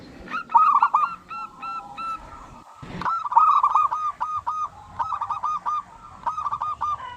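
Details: Local zebra dove singing strongly to draw other doves into answering: repeated phrases of rapid staccato coos, a loud opening run, a short gap with a click, then several more tumbling phrases of hooked notes.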